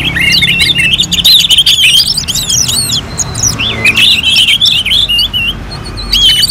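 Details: Singing orange-headed thrush in a contest-simulation recording. Loud, busy warbling mixes sweet whistles with sharp chips. After a brief pause near the middle, the bird resumes with rolling twittered phrases over a steady low hum.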